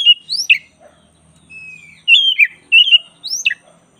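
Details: White-rumped shama, black-breasted form, for master training: sharp downslurred whistles and harsh chatter, a thin sustained whistle, then loud warbled phrases and another steep down-sweeping note.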